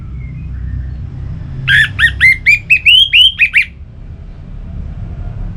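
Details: Orange-headed thrush, a recording used to make kept birds sing: about nine rapid whistled notes in a steady run, each a short upswept slur, rising slightly in pitch through the series over a low hum.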